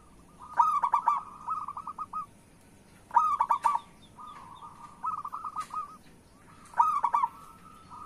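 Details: Singing local zebra dove (perkutut), used as a lure and therapy sound for doves slow to sing. Three loud bursts of rapid stuttered coos each run into a softer trilled tail, repeating about every three seconds.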